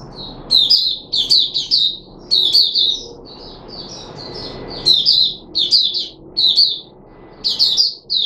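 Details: Red-whiskered bulbul of the Puteh Raja type, a kept songbird, recorded 13 April 2021 after a feeding trial with special fruit juice and one mealworm. It sings loud, bright warbled phrases of quick slurred notes, with softer chatter between bursts.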